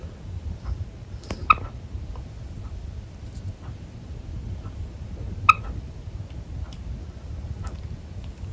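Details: A Java sparrow that seems angry but is actually playing gives two sharp, clipped notes about four seconds apart, with faint clicks and a low steady hum behind.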